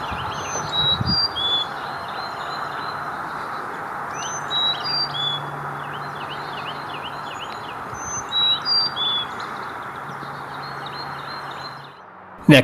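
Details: Carolina chickadee, a small bird about 4.5 to 5 in long, heard along a forest trail giving thin, high whistled notes and quick chip series in scattered bursts over a steady low hum of background noise.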